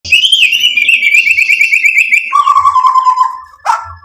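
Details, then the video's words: White-rumped shama in full, lively song used as a lure to provoke other birds into answering and showing off mimicked material: long clear whistles held high, then dropping to a lower steady whistle, ending in a short harsh burst. "MURAI BATU GACOR MEMANCING EMOSI JADI NYAUT BUNYI BONGKAR MATERI ISIAN"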